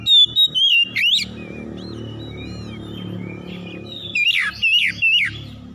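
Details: Morning song of oriental magpie-robins answering each other in a harsh, rough style: bright whistled phrases with sharp rising sweeps open and close the passage, separated by softer twittering over a steady low rumble.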